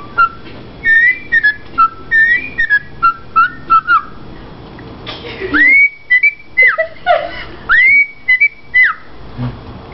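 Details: Captive female Rosella parakeet showing off, whistling a television theme tune she likes: clear rising and slurred whistled notes in a rhythmic run, a brief gap, then more sharp upslurred whistles, with faint room hiss behind.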